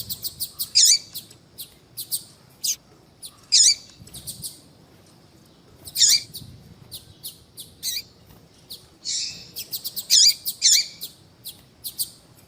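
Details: Female yellow-bellied seedeater calling to attract and excite males: very high, sharp chips and buzzy notes, given singly or in quick pairs every one to three seconds, with quiet gaps between.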